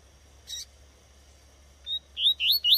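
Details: Female Double-collared seedeater in the bush. After a short click, four or five sharp, high, upward-slurred chips come in quick succession near the end.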